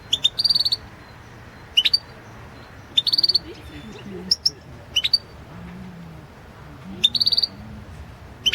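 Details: European goldfinch competition song recorded at the 2016 World Championship in Goldfinch Song: bright, tinkling high notes in short separate bursts and brief rapid trills, with pauses between phrases and a quiet low background hum.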